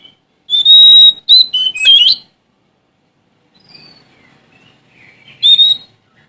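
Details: Sumatran Oriental magpie-robin singing to challenge rivals. A loud phrase has a clear whistle and rapid, stepping, buzzy notes. Faint, thin whistles follow before a last short, bright whistle.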